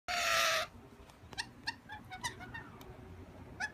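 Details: Wild rainbow lorikeets at a window asking for food, one harsh broadband screech at the start, then a scatter of short soft chirps and clicks over a low background rumble.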